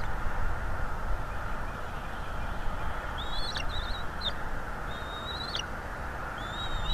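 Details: At a North East Florida nest, a bald eagle gives sparse high, thin whistles, some drawn-out and slightly rising, some clipped, spaced a second or so apart, over a constant low wind-like roar from the nest camera.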